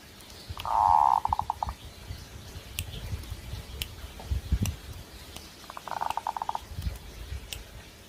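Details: Zebra dove in breeding condition: two cooing phrases, each a rolled note ending in quick staccato pulses, separated by several seconds of low thumps and clicking noise.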